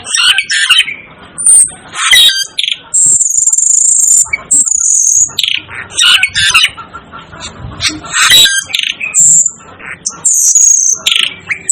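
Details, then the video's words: Cucak keling, the Asian glossy starling, utters a dense run of shrill squawks and chirps, including a sustained piercing high whistle, with chatter coming almost continuously. "'DEVIL ' BIRD CALL || Asian Glossy Starling Calls Aplonis Panayensis"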